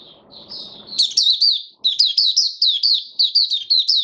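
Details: A male white-eye working on its form: a soft high note, then bright, rapid downslurred chirps repeated in a steady twittering string.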